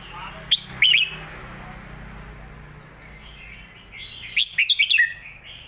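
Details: Thai cage-kept red-whiskered bulbul singing a complete-repertoire song, noted for good, quick singing and meant for teaching young birds. A few loud whistled notes come early, quiet hum follows, then a fast run of four or five rising and falling whistles ends it.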